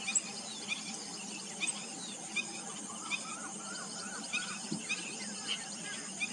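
Black-breasted weaver giving sharp, high chips at uneven intervals over a dense, buzzy chatter, with several birds calling at once.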